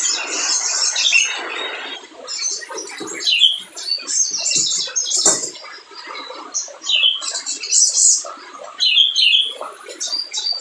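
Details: Spiderhunter in full, lively song, used as a lure to make reluctant birds sing: bursts of thin, high chirps and twittering notes, some sharp rising whistles, in uneven clusters with brief pauses and faint lower clicks.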